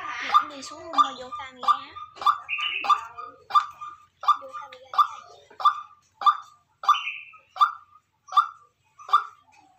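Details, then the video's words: White-breasted waterhen decoy bird giving a long sequence of loud, barking mid-pitched notes at an even pace, with a few higher buzzy overlapping notes near the start and otherwise quiet surroundings. "Tiếng quốc mồi kêu"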